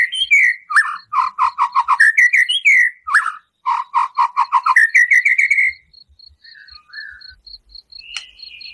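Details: White-rumped shama in full song with harsh 'shooting' phrases, played to provoke a caged bird: rapid runs of loud repeated whistled notes, mixed rising and falling, a thin steady high tone behind, then softer scattered notes.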